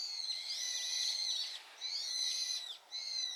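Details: Loud brown-eared bulbul song in response to the chorus of its flock: long, shrill, slurred screeching phrases with stacked harmonics, three drawn-out bursts divided by brief dips.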